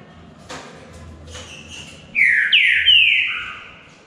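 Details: Green-winged saltator in a singing contest, preceded by soft knocks and faint sounds, then three loud downslurred whistles run together, fading at the end.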